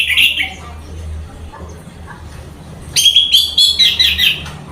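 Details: Caged orange-headed thrush singing: a brief bright warbled burst opens, followed by a quiet pause over low steady hum, then a loud run of rapid, varied whistled and chattering phrases that repeat quickly and fade.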